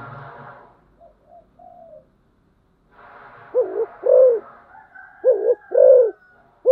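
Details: After a low rumbling murmur and a few soft notes, a spotted dove used as a decoy begins deep paired coos, short then longer, repeating with a faint high steady tone behind.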